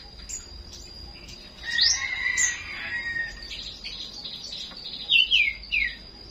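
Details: Small songbird singing in the morning: thin, high chirps and a sharp downslurred whistle, a short warbled phrase, then three quick descending notes near the end, over a steady high-pitched whine and faint background hiss.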